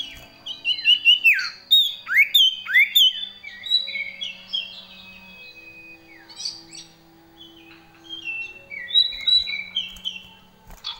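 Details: Common iora singing a long gacor variation with fill-in phrases: loud bursts of looping, swooping whistles, a quiet stretch with a low steady tone, then renewed bright high whistles.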